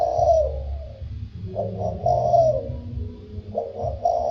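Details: Spotted dove, thổ sâm voice style, delivering soft hooting coos: one phrase ending, a full stuttered-then-falling phrase, and another starting, spaced about two seconds apart, with low background hum.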